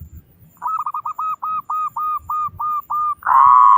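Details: Big-voiced local zebra dove, song used to coax other doves into singing quickly: about ten evenly spaced, short hooked cooing notes in a steady series, then a long sustained coo at the end.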